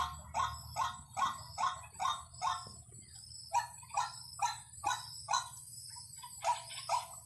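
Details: White-breasted waterhen calls used as a lure: loud, harsh notes repeated in a steady pulse of roughly two per second, briefly faltering midway before resuming, over a low background hum.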